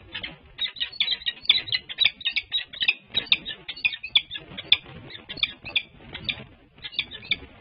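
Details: Wild peregrine falcons on a livestreamed nest at UC Berkeley on March 30, 2024. The male calls to urge his mate to take a break from the nest. The calls are rapid, harsh, chattering notes, several each second, in long uneven bursts.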